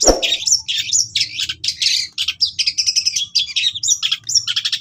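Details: A long-tailed shrike gives rapid, varied high chattering and whistled phrases in a dense stream, opening with a sharp knock. It is used to train caged shrikes, with cililin filling.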